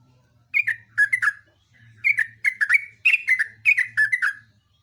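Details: Yellow-vented bulbul singing long, lively runs of rich bubbling notes, each phrase falling from a higher whistle, repeated in quick series over a faint low hum.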